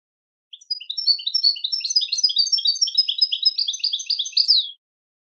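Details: Continuous, rapid goldfinch song: bright tinkling notes and short trills strung together for about four seconds, ending in a sliding buzzy note, then silence.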